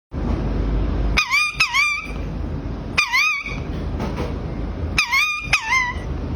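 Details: Parrot talking: three loud bursts of warbling, harmonic-rich voice, each of two or three wavering syllables, spaced about two seconds apart over a steady low background hum.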